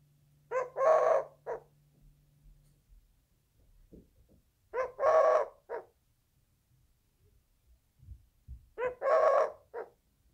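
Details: Eurasian collared dove cooing a three-note phrase, short, long, then short, repeated about every four seconds, with faint low tapping sounds between phrases.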